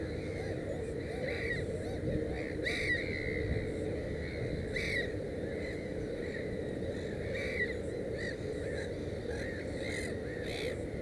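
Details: Black-headed gull nest with three chicks: separate hoarse, harmonic calls sound every two to three seconds against a continuous low rumble of outdoor noise.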